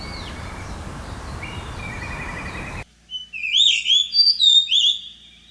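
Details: Blue rock thrush spring-to-early-summer song: clear, fluty warbled phrases rising and falling in quick succession; softer thin whistles come first over a steady hiss of background noise.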